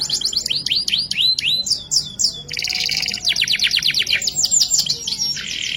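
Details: Canary delivering vigorous ngerek-style song: a string of rising, swooping whistled notes, then a dense buzzing roll, then rapid slurred upsweeps repeated several times a second. It closes with a lower rattling phrase.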